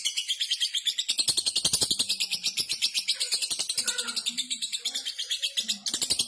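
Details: Lovebird singing vigorously, its song offered as training material for magpie-robins to copy: a fast, dense stream of high, sharp chirps and ticks, about three per second, with a few lower warbled notes mixed in.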